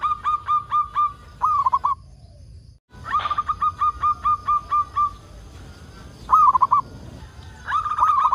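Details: Local zebra dove song meant to lure other doves into singing: fast, evenly paced cooing runs and short rolling phrases, cut by a brief silent gap.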